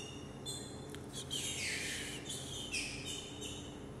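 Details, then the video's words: Green-winged saltator, a 2018 young bird, sings short, clear, high whistled phrases mixed with a harsher rushing burst, over a steady low mechanical hum. "Trinca ferro Aberração na mexida"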